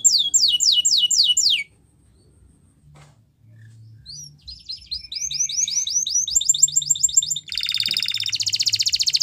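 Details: Spanish Timbrado canary training song: several fast falling whistles, a long quiet gap, then soft building chatter into a rapid twittering series and a dense buzzing trill at the end.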